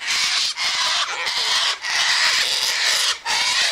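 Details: Nearly continuous harsh screeching from a sulphur-crested cockatoo feeding on sunflower seeds, wheat and birdseed near an eastern gate, broken by only three short pauses.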